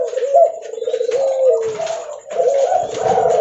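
Spotted dove giving loud, low, mellow coos in a continuous rolling phrase, with soft rumbling notes between, recorded close up.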